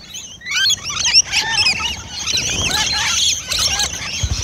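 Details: Several rainbow lorikeets feeding close by: loud, dense chattering of shrill screeches and squeaky twitters, almost continuous and overlapping, from many birds at once.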